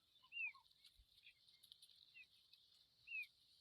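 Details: Familiar chat young out of the nest give two clear, thin downslurred whistles about three seconds apart, with faint lower soft notes between them over a constant high-pitched hiss.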